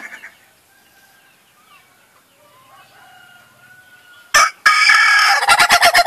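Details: Ayam ketawa, the laughing chicken, crows after a quiet stretch with faint thin bird whistles: a sudden harsh note, then a fast train of rhythmic pulsed syllables continuing to the end.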